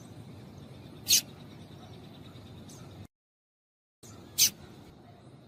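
A female Double-collared Seedeater gives two sharp, high chips about three seconds apart over a faint steady hiss.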